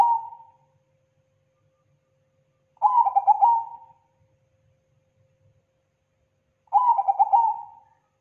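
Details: Zebra dove (perkutut) lure song, described as thick, loud and clean: rolling, bubbly cooing phrases, each about a second and a half, beginning with a stuttered coo and trailing off, separated by long silent gaps, with a quiet low hum beneath.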